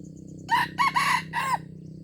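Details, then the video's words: Junglefowl from Aceh, recorded 25 April 2020, giving a short crow of four harsh, rasping syllables over about one second, the later ones longer and drawn out, above a steady low hum. "Ayam Hutan Aceh"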